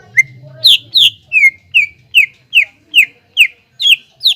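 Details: Cucak ijo, the greater green leafbird, in lure song to stir young leafbirds into singing. About ten evenly spaced, clear down-slurred whistles come at roughly two per second against a quiet background.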